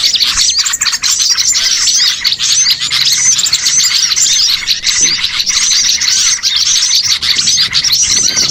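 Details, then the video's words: Bird-catching lure of noisy small birds: a thick, unbroken chorus of squeaky chirps, looping twitters and sharp notes, with a few brief dips in volume. "MP3 PIKAT BURCIL AMPUH BIKIN PANEN BANYAK BURUNG"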